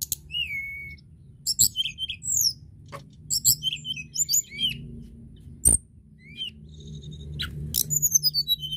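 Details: Crested lark singing, used to stimulate birds of its kind to sing. A falling whistle opens the song, followed by bursts of high twittering, slurred chirps and downward sweeps, a sharp click, and a quick rattling series near the end.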